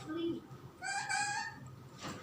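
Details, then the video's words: Drowsy talking parrot saying "mama" to its owner, a short low sound then a longer tonal, slightly wavering vocal note, ending with a soft breathy noise in a quiet room. "Parrot burbie calling mama in sleepy mode"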